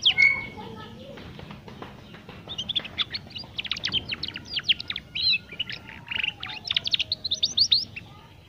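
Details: Young canary learning to sing, played as a lure to get other young canaries singing quickly: after a quiet start, a lively stream of high twittering notes and quick chirps over low background rumble.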